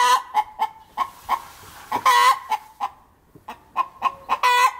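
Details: A laying hen sitting in an apple tree cackles after producing an egg: quick irregular clucks, a long raucous drawn-out note near the middle, a brief pause, then clucking rises again into another loud squawk at the end.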